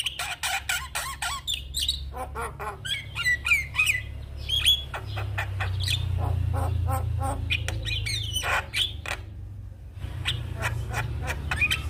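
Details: Black-winged starling song for training: long sequence of rapid clicking raspy notes, whistled slurs and harsh chatter, loud throughout, with a steady low rumble swelling in the middle.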